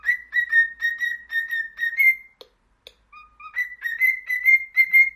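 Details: Cockatiel song meant to train a pet bird to sing: a string of steady, evenly pitched whistled notes repeated about twice a second, a short pause, then a lower whistle and more bright notes.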